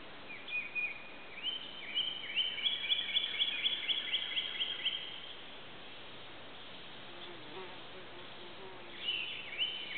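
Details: Red-shouldered hawk, wild, perched and hunting for breakfast in the morning while preening, near Suwannee River State Park, Florida, July 31, 2011. A run of shrill, high, strained calls follows in quick succession, then a brief final call near the end, over steady background hiss.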